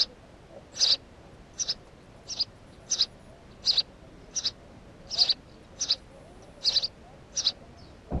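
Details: House sparrow uttering about ten loud, sharp chirps spaced under a second apart, often as quick doublets, over a faint, even background hiss.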